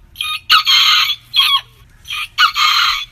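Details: Backyard rooster from a heritage-breed compilation making short hoarse, noisy crow bursts in quick succession, with a faint low hum beneath.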